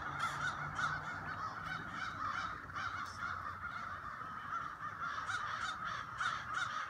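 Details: Crows in a late autumn flock, many birds cawing at once in a hoarse, overlapping clamour with no pauses, over a constant low rumble of background noise.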